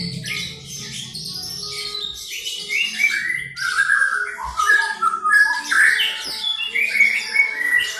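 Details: White-rumped shama aged eleven months copying lyrebird sounds: dense, rich whistled and warbled phrases with quick pitch changes, fairly loud, with a faint low hum early on.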